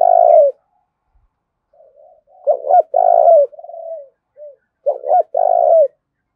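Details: Spotted dove decoy pushing rivals to fight: a long coo, soft murmurs, then two phrases of clipped double notes followed by rolling drawn-out coos.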